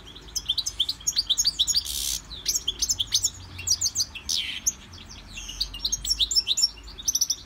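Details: European goldfinch in song training, kept in a Victorian brass cage, delivers a long, fast run of tinkling high chirps and trills with several rasping buzzy notes mixed in, over a quiet low background hum.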